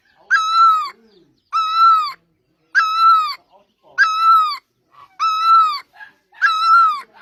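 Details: Great barbet in Asia, known in Thai as นกตั้งล้อ, giving loud wailing notes with rich overtones, each about half a second long and slightly falling, repeated steadily about every 1.2 seconds, six times in a row.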